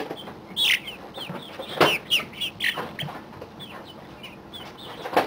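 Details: Chickens about 40 days old in a pallet brooder, a week before moving to the coop, giving scattered high, thin upward-sliding peeps and chirps over a steady background hum, with a few louder knocks.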